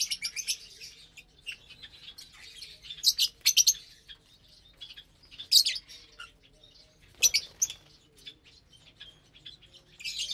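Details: Feeding lovebirds share a Saturday morning meal of corn, greens, sprouts and seeds. Bright, piercing chirps come in bursts every couple of seconds over quieter continuous twittering.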